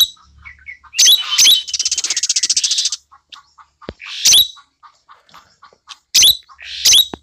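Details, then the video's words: Caged tame Asian glossy starling, red eyes and black feathers, voice described as clear and shrill; harsh screeches, a fast buzzy rattle, and scattered short chips between loud bursts. "Cucak Keling Gacor Jinak"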